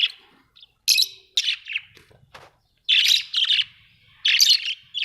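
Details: Australian budgerigars chirping in uneven bursts of scratchy, grating chatter mixed with sharp clicks, a faint low rumble underneath.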